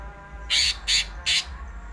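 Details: Greater green leafbird, singing in a rolling, frenzied style, utters three loud harsh rasping notes spaced about a third of a second apart, with low background hum.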